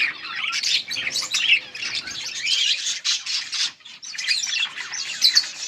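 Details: Yellow budgerigars on August 18, 2024 giving a stream of chattering warbles and squeaky chirps, several voices overlapping, with a brief lull just before four seconds.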